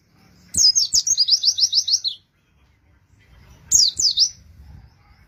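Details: Oriental white-eye song played as a lure to draw in wild birds. A rapid, very high trill of about eight even notes runs for over a second. After a pause comes a shorter twittering burst, with faint low background rumble.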